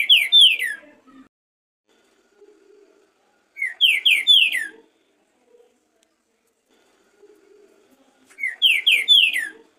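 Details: A green-winged saltator warming up, recorded in 2023, gives short phrases of three or four loud, slurred, falling whistles, repeated roughly every four seconds, with faint soft notes in between.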